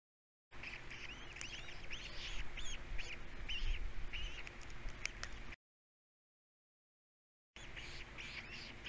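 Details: On Captiva, three osprey chicks at feeding time give rapid arched chirping calls, several per second, with a low steady hum and a short break in the sound.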